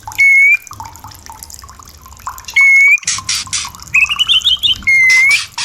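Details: White-rumped shama, caged, song played to stimulate breeding and mating at night: loud pure whistles around the middle register, each held then dropping, with a rapid rising trill and buzzy bursts between them.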